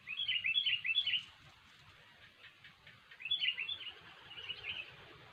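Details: Sooty-headed bulbul giving gacor, cengkram style song for trapping lures: a burst of quick bubbly notes, a quiet gap, then a second rolling phrase, over steady low background noise.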